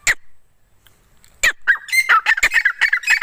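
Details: Female grey francolin (desi teeter) calling: two sharp isolated notes, then a burst of rapid, harsh, squawking notes repeated several times a second, rising in pace toward the end.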